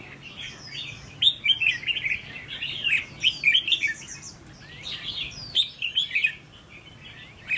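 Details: Decoy red-whiskered bulbul under training, tested for its attitude, delivers repeated energetic warbled phrases of quick, sharp, rising and falling notes over several seconds.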